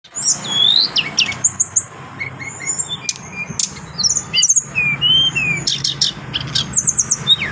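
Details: Adult brown-chested jungle flycatcher singing clearly: high, clean whistled slurs that rise and fall, mixed with sharp clicks and quick trills in a varied, rambling phrase, over a faint low hum.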